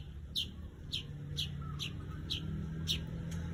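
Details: Weaver repeating brief high 'cret'-like chips about every half second, seven in a row, over a low droning hum.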